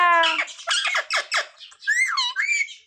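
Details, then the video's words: Pet parrot, called mitthu, taught to say "Sita Ram" and "Jai Shri Ram" as a Ram Navami special. Harsh squawky syllables open, then a raspy, warbling phrase rises and falls, while a person nearby keeps prompting the words. "The parrot talking sita-ram"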